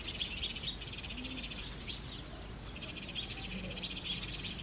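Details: House sparrows chirping in early morning: a dense, continuous chatter of high overlapping chirps from several birds, coming in two busy bursts with a short lull between them, over low background rumble.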